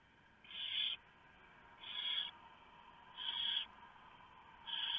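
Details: Owlets being fed at a barn owl nest after the male delivers a huge mouse, 3:59 AM, 3 November 2015; four harsh, hissing shrieks, each about half a second long, repeated at fairly steady intervals of roughly 1.4 seconds.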